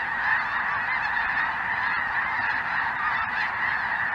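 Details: Snow Geese with Greater White-fronted Geese and maybe a Ross's Goose, southern Indiana, January 2023, chilly afternoon; many geese honk at once, a dense, continuous, slightly distant chorus.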